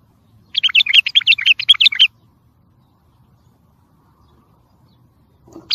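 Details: Bulbul song for tutoring and motivating caged birds: a rapid string of about fifteen chattering, warbling notes over roughly a second and a half, then silence, with the start of another phrase at the end.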